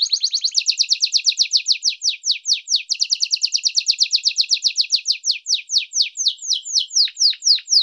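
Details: Canário do reino, the domestic canary Serinus canaria, in first-type song: a very rapid run of high, clipped descending notes that gradually loosens into slower, separate downward slurs near the end.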